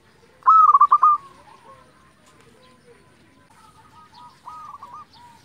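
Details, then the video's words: A local zebra dove sings a lure song to stir other doves to answer. One loud phrase opens with a drawn note and breaks into quick stuttered coos. Faint, softer cooing notes trail off afterward. "pancingan perkutut lokal gacor hitungan detik saja langsung nyaut"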